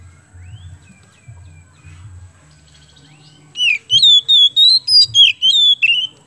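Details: Oriental magpie-robin of the kemben type, singing at full strength as a lure to get other birds singing: a silent start with low background hum, then a fast run of loud looping whistled phrases, rising and falling, repeated about every third of a second.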